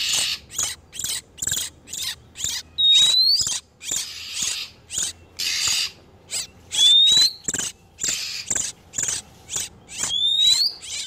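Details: Oriental magpie-robin, male and female in breeding condition, sound used as a lure for catching wild birds: harsh, buzzy bursts repeated roughly twice a second, broken by occasional thin rising whistles.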